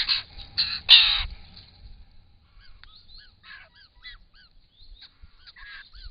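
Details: Wild White-winged Choughs drinking at an Australian pond, captured by camera trap; a few loud harsh rasping bursts open, then soft scattered piping whistles and chatter from several birds.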